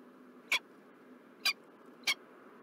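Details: A peregrine falcon in Montreal, Canada, recorded 4 November 2023, utters three short, harsh, high notes at irregular spacing above a quiet, steady hum.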